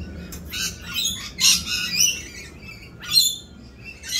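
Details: Rainbow lorikeets during mating season, more raucous than usual while doing their mating dance: harsh, grating high squawks in short bursts, several overlapping, loudest around the middle and end, over a faint low rumble.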